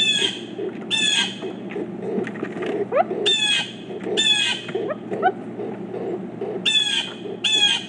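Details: Pileated woodpeckers, four birds together, giving short harsh nasal calls in bursts, each a stacked burst of several quick notes, repeated at irregular intervals over a steady low background hum.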